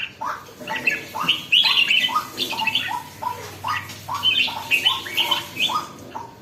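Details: Red-whiskered bulbul starting to get spirited, giving a rapid series of short rising notes mixed with harsh, scratchy chatter, steadily repeated for several seconds over a faint low hum.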